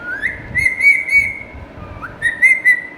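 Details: Pet ringneck parakeet from India whistling alone: a clear sliding whistle held for over a second with a warbled high overlay, then a second similar rising whistle after a short pause.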